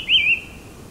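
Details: In the cold subalpine air of Taiwan's Hehuan Mountains, a white-whiskered laughingthrush (Trochalopteron morrisonianum) sings one clear whistled phrase, wavering up and down before fading, over faint low rumble.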